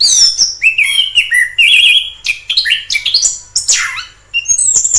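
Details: Wild orange-headed thrush song, a rich run of whistled slurs, buzzy trills and high sharp notes at shifting pitches, delivered in quick bursts with brief gaps.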